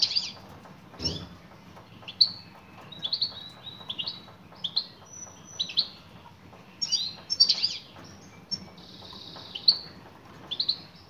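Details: European goldfinch female giving calls aimed at a male, a lively series of high, thin chirps and buzzy twitters in irregular clusters, with one brief low thump early on.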